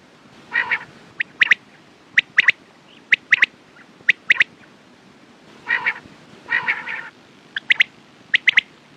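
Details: Quail calls: a rough harmonic note, then paired and tripled sharp high notes, and later a cluster of longer raspy calls before more crisp triplets.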